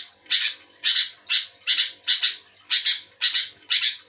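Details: Sooty-headed bulbul answering another bulbul with evenly spaced, strident buzzy chirps, roughly two per second, each with a doubled, rasping texture, over a low faint hum.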